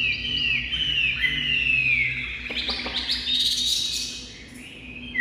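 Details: Caged Chinese hwamei singing nonstop just after leaving its covered box: loud clear whistled phrases, long gliding slurs that fall and rise, then a burst of fast bright notes before a short pause.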